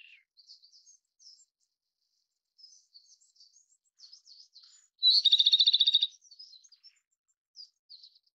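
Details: Against scattered soft, high chirps from other birds, a Japanese robin bursts into one loud, fast, even trill lasting about a second.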